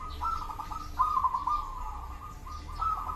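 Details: Local zebra dove singing: a soft, steady mid-pitched cooing tone with a brief burst of quick stuttered notes near the middle and a light rumbling background.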